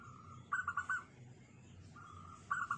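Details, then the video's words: Zebra dove, a local turtledove with a small, tight voice: short bursts of quick rolling cooing notes, one at the start and another after a long even tone, over a noisy low rumble. "di cari suara sperti ini || laku 5jt suara unik kecil sepet rapet dan gacor"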